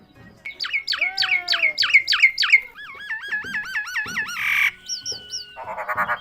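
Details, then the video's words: Myna said to be talking: rapid series of bright, harmonic chirps repeated several times a second, then wavering looped whistles, a harsh burst and a few short rising notes. "শালিক পাখি কথা বলে"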